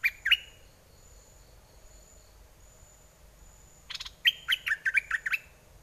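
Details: Red-whiskered bulbul decoy bird singing, in aggressive or wild mate-calling style. A short whistled pair opens, then after a pause a sharp rattle leads into a fast run of six bouncing, slurred whistles.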